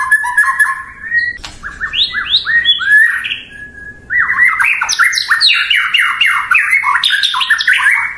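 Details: White-rumped shama, known locally as murai batu, a popular cage bird, singing a rich, varied song: rapid descending slurred phrases and harsh chattering notes, loud and continuous with a brief pause near the middle.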